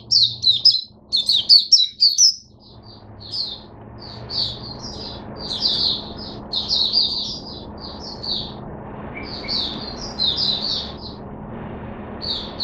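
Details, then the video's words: Oriental white-eye in a cage, kept on mixed drinking water, singing in bursts of high, sweet chattering twitters, a loud cluster at the start followed by steadier, softer phrases with brief pauses, low hum beneath. "Mata Puteh Hercules V1 buka sing"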